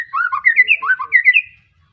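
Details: White-rumped shama, a young bird fresh from moulting, Arko Tangerang bloodline, Petarukan, Pemalang, singing a quick run of rich, looping whistled phrases that rise and fall in two connected sequences, then stop.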